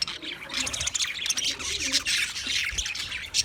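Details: Budgies chirping: a crowded, high-pitched chatter of squawks and twittering notes from several birds, steady and without gaps.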